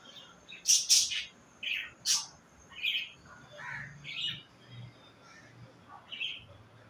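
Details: Pet budgerigars while mating: loud harsh squawks and sharp chirps open the recording, then softer scratchy chattering notes follow in short bursts about every half second, over a faint steady high hiss.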